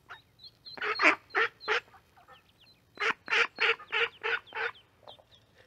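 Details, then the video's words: Mallard with ducklings, mic placed by the corn: a short run of three harsh, raspy quacks, a pause, then six more in quick succession, with thin high duckling peeps faintly between them. "Duck sounds, Mallard duck calls, baby duck calls"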